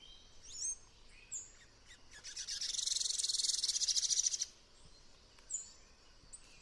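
A tanager gives high, thin chips, then a fast buzzy trill of rapid repeated notes lasting about two seconds, with a few scattered high calls around it.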